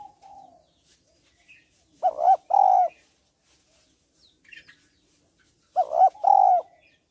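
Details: Female spotted dove calling to stimulate males: two paired low coos separated by about four seconds of near silence, with a faint higher chirp between them.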